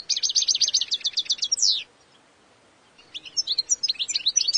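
European goldfinch giving a rapid run of high, tinkling twitters ending in a downslurred note, then a pause and another jumbled burst of liquid chirps.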